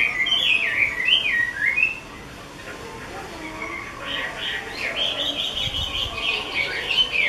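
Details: A keeper's 'mơ' Chinese hwamei opens with loud, swooping whistles. After a brief pause it continues with a softer, busier stream of quick whistled notes, with faint background rustling.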